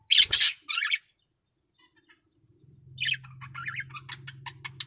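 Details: Male budgerigar in breeding condition: two loud harsh chirps at the start, a pause, then a rapid run of warbled, chattering notes over a steady low hum.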